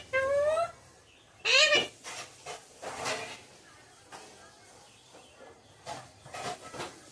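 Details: A pet talking parrot that says mummy and papa gives a strong, drawn-out harmonic call at the start and a rising squawk-like word near 1.5 seconds, followed by softer, broken voice-like sounds.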